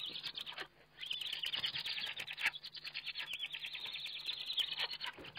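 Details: Feeding scene of a Eurasian eagle-owl on a webcam, 29 May 2011: near-continuous, overlapping high wavering calls with rustling and scraping noises throughout.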